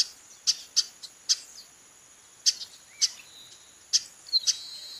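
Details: Repeated sharp chips from a calling female chestnut-capped blackbird, some in quick doublets, with quieter softer notes between and a thin high background tone.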